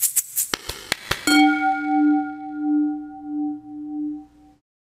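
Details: A series of sharp percussive clicks, then a single sustained metallic ring like a struck bell or chime that fades away; no animal voice.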